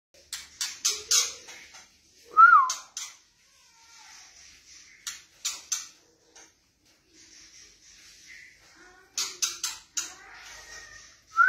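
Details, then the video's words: White-rumped shama singing: bursts of harsh clicking chirps separated by quiet gaps, a clear whistled note that rises and falls, and soft buzzy phrases, with faint rustling between phrases. "BURUNG MURAI BATU"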